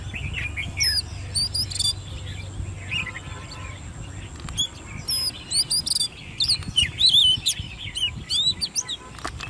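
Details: Ten-month-old hand-reared Oriental magpie-robin in a cage, competition singing: high whistles and clipped chips, sparse at first and then crowding into fast bursts of twisting notes, over a low background murmur.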